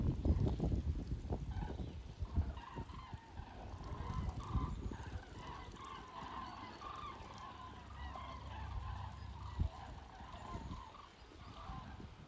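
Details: Thousands of common cranes heading south over the Wetterau, Hesse, on 22 October 2022, filmed from Bad Nauheim; a continuous chorus of overlapping distant trumpet calls, with loud low rumbling and knocks early on, then steadier background noise.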